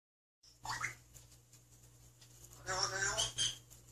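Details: Young male grey parrot mimicking human speech in Korean: a short rising phrase, a pause, then a longer burst of word-like syllables over a faint indoor hum.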